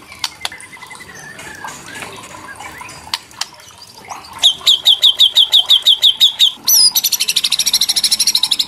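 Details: White-rumped shama giving a kretekan song meant to rouse young shamas into singing: faint scattered chips and a thin whistle, then a fast run of sharp high notes, then a dense, buzzy, very rapid rattle at the end.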